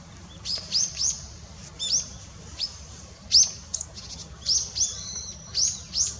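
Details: Long-tailed rosefinch, male and female, recorded 20 December 2016: repeated high, thin, slightly buzzy whistled call notes, often in pairs or short clusters, coming every second or so throughout, over a faint hiss.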